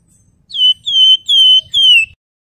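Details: Four pure, flute-like whistles from a Sunda Bulbul (wergan jawa), each slightly falling and evenly spaced, part of a nyuling song recorded for training other songbirds.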